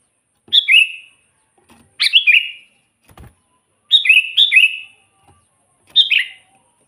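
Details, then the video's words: Sooty-headed bulbul in constant song, used as training material for birds that seldom sing: five chirpy whistled phrases at uneven intervals, several doubled, each falling from a bright note into a bubbling trill; one dull thud. "suara burung kutilang gacor full buat pancingan kutilang pikat"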